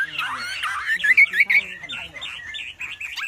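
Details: Wambi singing loudly as a tutor for other birds: rough, scratchy opening, then a chain of quick, bouncing whistled notes repeated at a steady pace.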